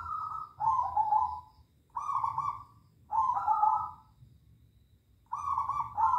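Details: Zebra doves calling back and forth at night: four warbling, rolling coos about a second long each, separated by short pauses, with a faint low rumble underneath.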